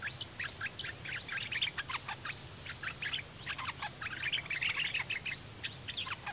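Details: Red-whiskered bulbul decoy of the dok taeng type singing a doubled song pattern at wild birds after long absence from the forest; busy lively whistled notes in quick bursts, over a steady high-pitched background whine.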